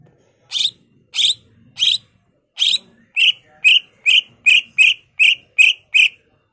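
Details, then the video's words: Greater green leafbird (cucak ijo) kept as a lure bird, in excited song: a steady series of about twelve sharp, high, clipped notes, spaced slowly at first, then faster and evenly repeated, clean background. "Cucak ijo gacor bongkar isian full nembak ampuh untuk pancingan dan masteran"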